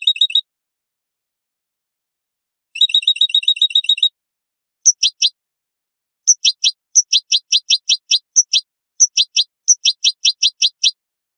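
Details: European goldfinch singing clean song (canto limpio) recorded for training captive birds: a brief twitter, a dense tinkling trill, then a long run of sharp, high downslurred notes in quick series, against total silence.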